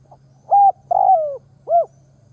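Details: Spotted dove serving as a ground decoy, cooing to bring wild doves in. A single phrase has a faint opening note, a steady mellow coo, a longer coo gliding downward and a quick arched final note, with a low steady hum behind.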